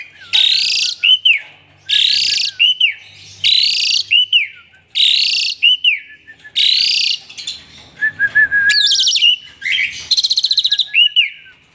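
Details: Asian pied starling singing vigorously while pumping and bobbing its head as if dancing; a harsh buzzy burst followed by looping whistled notes repeats five times about every 1.5 seconds, then rapid stuttered trills and another buzzy rasp.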